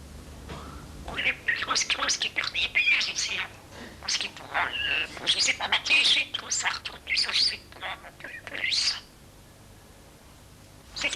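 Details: A young pet common starling, rescued at a campsite in Corsica (1989), chats in its cage after a bath: a rapid run of squeaky, whistled and buzzy phrases with talk-like mimicked fragments, for about nine seconds.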